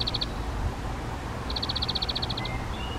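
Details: Spotted flycatcher at a nest in a half-open nest box on a garden shed's back wall, parents bringing flying insects to nestlings in a replacement brood; short ticking notes in quick high trains, one brief and one longer, over low rumble.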